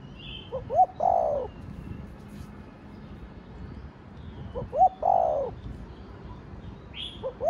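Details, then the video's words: .Spotted dove (cu gáy, cu đất) cooing in the Thổ Đồng voice style, used to stimulate other birds. Two low, hollow coo phrases, each a short lead-in note and a longer swelling coo, about four seconds apart, with faint high chirps from other birds. "Cu gáy giọng Thổ Đồng Thúc, Gù kích bổi nhanh nổi"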